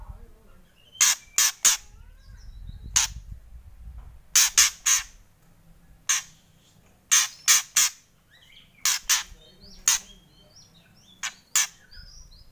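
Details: White-rumped shama giving loud kretek calls: harsh broadband rasping bursts in clusters of two to four, repeated every second or two, with faint whistled notes between them.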